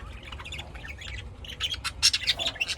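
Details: Pet lovebirds raised indoors in Austin, Texas, USA, chattering with dense shrill squawks that grow louder and more crowded in the second half, sharp high notes tumbling over one another.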